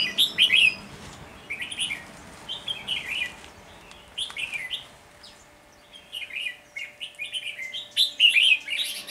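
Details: Wild Red-whiskered Bulbul flock leader chattering aggressively at a caged decoy bulbul during trapping, recorded on 10 February 2020. Bursts of sharp, scratchy chirps come in clusters separated by short pauses, with loud peaks near the start and the end.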